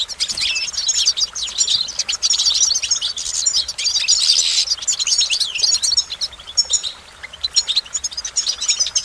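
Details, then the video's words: Goldfinch pouring out a long, rapid, liquid twittering song of high jingling notes and buzzy trills, almost without pause, against a constant hiss. "Goldfinch Motivation Performance"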